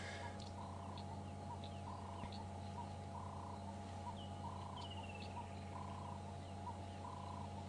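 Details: A ring-necked (Cape turtle) dove calls in the background at sunset on 7 December 2014 during a safari drive near a den with a cub: low, hoarse coos about every second over a vehicle engine hum, with other birds chirping.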